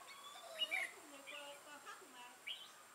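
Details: Decoy red-whiskered bulbul with a 'mào lân' crest and dark bib, used for trapping on 6 November 2018. One quick, sharp warbled phrase rings out, then softer chirps, over faint whistles and lower notes from other birds.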